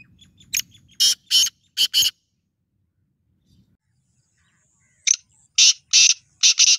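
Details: A black francolin gives two phrases of rasping, scratchy notes separated by a pause of about three seconds. Each phrase is a short series of four or five harsh bursts, with near silence between the phrases.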